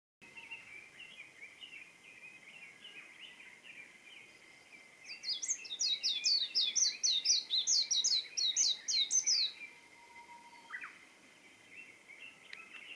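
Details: Warbling white-eye singing on 20 April 2024: a rapid, very high twittering warble lasting about four seconds in the middle, preceded and followed by softer, lower repeated chirping notes.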